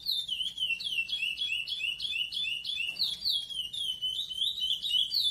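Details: A captive-bred chestnut-bellied seed finch sings the classic Praia song: a continuous, rapid run of clear whistled notes, sweeping down and up in quick slurred phrases, with a faint hum beneath.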